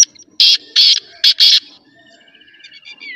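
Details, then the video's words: Black francolin calling: a harsh, grating phrase of four loud, clipped, buzzy notes over about 1.5 seconds, the last two run close together, followed by faint trilling and whistled notes from other birds. "Black Partridge Voice/ Kala Teetar Awaaz"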